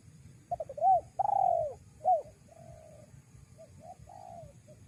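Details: Spotted dove calling as a lure for wild doves: two short hooked notes, then a long level coo, a third hooked note, a softer drawn-out coo and a last fading coo, over a steady low rumble.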